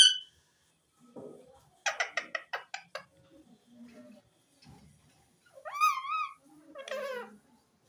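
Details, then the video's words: Ringneck parrot talking indoors: a quick stuttering burst of clipped syllables, low muttering, then two rising whistled, wavering notes near the end. "mian mitho chori khani ha,lovely green parrot bird talking"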